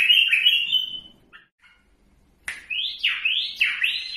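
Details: Bulbul from Iraq giving a short slurred warble, a pause with a couple of soft notes, then several loud, swooping, rising whistled phrases in quick succession.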